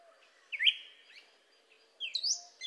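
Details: Two drawn-out slurred whistles from a cardinal, each sliding down in pitch, heard against a quiet background.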